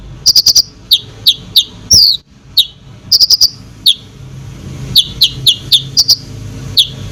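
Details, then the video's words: Konin in full song, played to make other birds agitated: bright, high, downslurring chirps and short rattling triplets, separated by brief pauses, with a steady low hum beneath. "KONIN GACOR FULL ISIAN BOCOR BUAT BURUNG LAIN CEPAT EMOSI"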